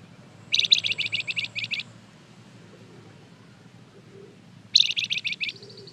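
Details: Flamboyan bird in full song, used as a lure so other birds respond: a rapid run of about nine high, sharp staccato notes, a pause, then another quick burst ending in a thin high whistle.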